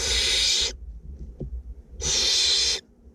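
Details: Two barn owlets being fed in a nest box in north Glasgow; two long, harsh hissing screeches, each under a second, separated by a quiet gap with a faint click.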